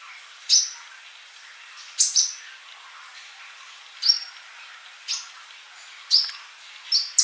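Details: Sunbird from a master recording for training birds, giving a single sharp, high, downward-slurred chip about once a second against a faint hiss.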